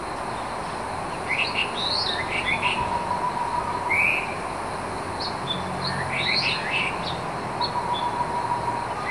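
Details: Taiwan scimitar-babbler (Pomatorhinus musicus) at Beishi Creek, Pinglin, Taiwan, on 26 June 2017, giving short, bright chirping notes in loose bursts, with one fuller note midway, over the steady rush of a stream.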